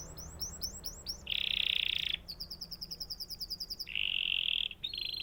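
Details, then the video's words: Canary alternating quick whistled rolls and pulsed trills with loud buzzy rattling tours, a varied continuous song. "natural canary chirping sound"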